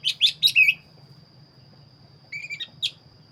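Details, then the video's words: Black-breasted magpie-robin giving 'gacor' song: four quick loud whistled notes in a burst, a pause, then a short slurred whistle and a sharp chip. "burung Kacer dada hitam gacor"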